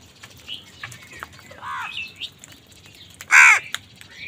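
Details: Angry crows fighting wild birds for food give two loud, harsh, arched caws, one short and one longer and louder near the end, with faint scattered clicks and chirps between.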